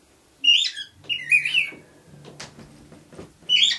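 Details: Male cockatiel kept as a pet singing: sharp whistled notes in short groups, a pause filled with soft clicks and low room hum, then another bright whistle at the end.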